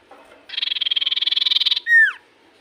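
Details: Common iora in strong song, said to make any iora respond immediately: a dense trill of quick buzzy pulses for over a second, then a bright whistle falling steeply.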